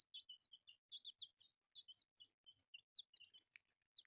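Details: A group of newly born colourful chicks chirp steadily, roughly seventy-seven peeps a minute in uneven rhythm. The notes are clear and high, with soft low thumps and a scratchy burst near the end.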